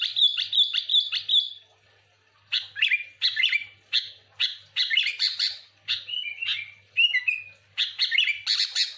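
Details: Sooty-headed bulbul singing lively and non-stop, used to lure other bulbuls: a rapid run of bright whistled notes, then bursts of chattering, slurred phrases repeated about every half second to second, with a faint low hum underneath.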